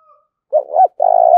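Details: One challenging call from a decoy spotted dove urging rivals to duel: a wavering two-part opening coo, a brief gap, then a drawn-out, even, low-pitched coo that trails slightly downward.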